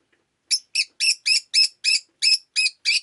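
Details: Rosy-faced lovebird chirping on a rainy day, nine sharp, harsh high chirps in a steady series about three per second after a brief silence.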